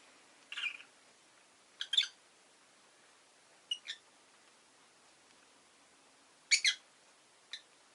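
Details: Pet rosy-faced lovebird giving scattered short, harsh chirps, some doubled, spaced irregularly over several seconds against a faint steady hiss.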